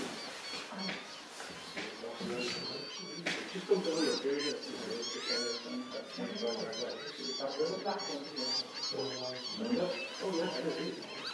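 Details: At WWT Slimbridge, Gloucestershire, a cacophony of Northern Lapwings gives wheezy, slurred, rising and falling 'pee-wit' calls while a Common Snipe feeds, over lower waterfowl calls and people talking.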